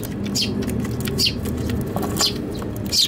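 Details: Balcony Eurasian tree sparrow, Tanabata 2021, during a fight in a box: four sharp descending chirps spaced about a second apart amid background noise.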